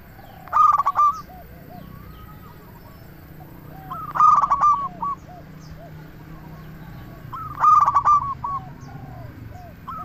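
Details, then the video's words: Local zebra dove singing to draw in and stimulate other doves: three loud, rapid rolling coo phrases about every three and a half seconds, with faint answering coos from more doves in between. "Perkutut Lokal Gacor RAJA PIKAT Ahlinya Bikin Semua Burung Perkutut Langsung Nyaut"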